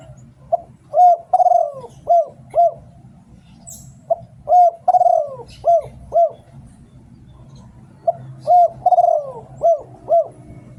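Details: Luring song of a Thai spotted dove. It repeats a cooing phrase three times, about every three to four seconds. Each phrase has a short lead note, a long falling coo and two or three quick rounded coos. A faint chirp is heard once.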